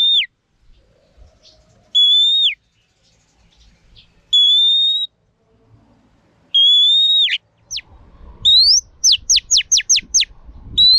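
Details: Female Oriental magpie-robin singing to rouse males, used for voice training: pure, steady whistles roughly every two seconds, each ending in a sharp drop, then a quick run of rising notes and six fast down-slurred notes near the end.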